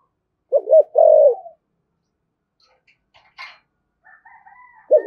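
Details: Single low spotted dove phrase, a wavering double note then a long hollow coo, in the 'thổ' voice 'thúc gù' style used to provoke wild doves; faint bird chirps and whistles follow before another coo begins.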